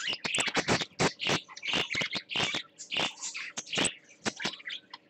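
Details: A captive parakeet on swings, filmed 20 December 2014 with a nesting pair, chatters in quick, scratchy chirps and squawks, several bursts a second, high and busy, with soft clicking underneath.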